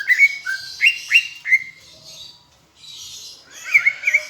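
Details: Palembang greater green leafbird tutor song mimicking Asian brown flycatcher: a few loud rising whistled notes in quick succession, a soft pause with faint hiss, then a short warbled twitter.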